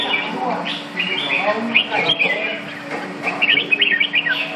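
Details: Red-whiskered bulbul singing at a bird club competition on 5 May 2012; quick chirpy warbled phrases of bright, rising and falling notes in short bursts, mixed with people talking nearby.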